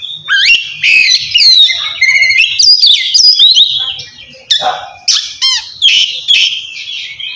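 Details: Oriental magpie-robin giving kacer ngeplong song to call a rival and set reluctant birds singing; loud slurred whistles, buzzy notes and rapid descending trills in uneven bursts, quieter passage in the middle.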